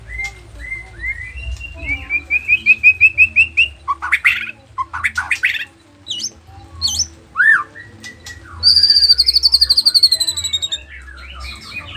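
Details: Nias 'noktah' white-rumped shama in full energetic song, played to trigger other shamas into replying: rapid repeated whistled notes building into loud varied phrases, sharp sweeping calls, then a long high rattling trill, with a faint low hum.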